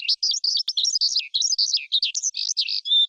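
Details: Forest skylark song, a recording used to rouse wild birds, for trapping, or to train young birds' voices: a rapid, continuous jumble of high chirps and twittering trills with short fluttering gaps and no other sounds.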